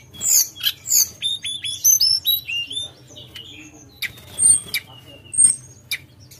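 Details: Javan whistling thrush song in the nyuling ngerol style: a series of clear rising and falling whistles repeated about every quarter second, then sparser high notes.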